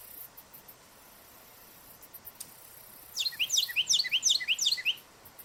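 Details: Carolina wren calling from a treetop on a park hiking trail: after a quiet stretch with faint high ticks, a rapid run of repeated rolling whistled phrases bursts in at mid-clip and continues to near the end.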